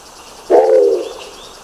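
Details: Nicobar pigeon giving a single low, hoarse, harmonic call lasting about half a second, dropping slightly in strength before fading; faint background hiss, otherwise quiet.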